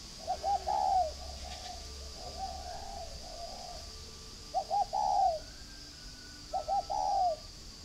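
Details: Captive spotted dove at a breeding farm in Ba Vì district, Hanoi, northern Vietnam, giving four soft low coo phrases about every two seconds, each two short notes then a longer drawn-out coo, over a steady high whine.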